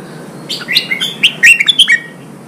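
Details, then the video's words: Red-whiskered bulbul song used to stimulate and train birds for singing contests: one quick, liquid warbled phrase of rising and falling whistled notes, with short sharp chirps packed together, over a quiet background hiss. "Kích chào mào bổi hót, kích bổi sổ giọng, luyện chào mào hót đấu"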